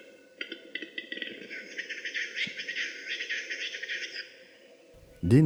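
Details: A displaying Western capercaillie in a frosty spring morning bog in the Central Forest Reserve, Tver region, Russia: a few dry clicks, then about four seconds of rapid, scratchy, hissing whetting notes; a man's voice starts at the end.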